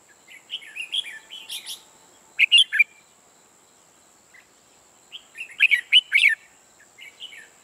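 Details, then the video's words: Red-whiskered bulbul decoy bird used in trapping, singing in short phrases of fluty slurred whistles followed by clusters of loud sharp notes, repeated after a pause of several seconds. "Bẫy chào mào Mồi mới ché ngất người"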